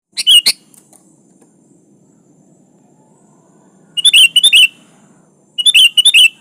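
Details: Sooty-headed bulbul singing vigorously to call a rival; three bright, bubbly phrases of quick chirped notes, the first alone and the next two after a long pause, over a faint low hum.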